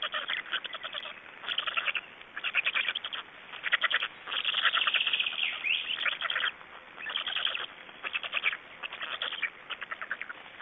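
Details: Black storks in Estonia, recorded at the nest during feeding on 26 May 2012: grouped bursts of rapid harsh ticking notes separated by short quieter gaps, with one longer sliding wheeze.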